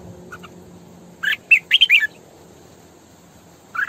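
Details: Female decoy red-whiskered bulbul singing in the 'sổ bọng căng' style, used to train bulbuls to sing and to lure them. A short burst of warbled, slurred notes, then a brief phrase near the end, over a low hum.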